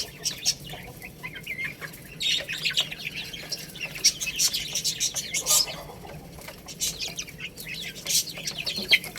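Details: Domestic chicks peck at rice and keep up soft, high peeping chirps in uneven bursts, with faint ticking and rustling in the background.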